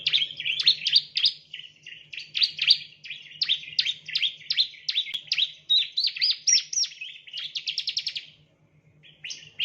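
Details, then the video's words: Bar-winged prinia (Prinia familiaris) chirping in a fast, unbroken run of high, sharp notes, several per second, ending in quick rattling bursts; a faint low electrical hum underneath. "the chirping of ciblek birds"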